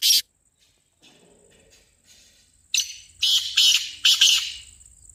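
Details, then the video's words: Black francolin voice meant to make the bird respond: one harsh burst at the start, then a rasping phrase of four loud, broad notes. Faint bird chatter and a constant thin high tone sit underneath. "تیتر کی بولیاں - کالا تیتر بلانے کا طریقہBlack Teetar Voice"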